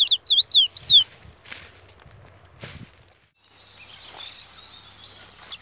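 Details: Chestnut-bellied seed finch males in a singing duel on a sunny day, a brown bird against a black rival, give about a second of clear, high whistled notes, four quick rising-and-falling slurs, then thumps and rustling.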